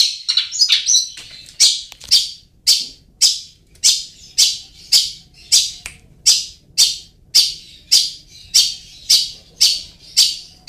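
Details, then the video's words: Long-tailed shrike sound used as a lure for quiet birds: after a short scratchy opening, harsh, rasping high notes repeat roughly twice a second in a steady series, with a faint low hum beneath. "SUARA PANCINGAN BURUNG CENDET"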